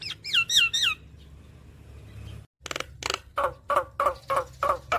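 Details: Javan myna song for prompting a silent bird to sing: four quick bouncing whistled notes, a pause with steady low hum, then a string of regular harsh chattering notes about four per second.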